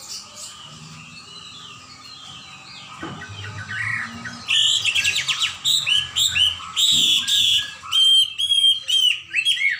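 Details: A Chinese hwamei (Garrulax canorus) in full song pours out a loud, rich run of varied whistled and slurred notes in quick rising and falling phrases, after quieter background chirping and a couple of dull thumps.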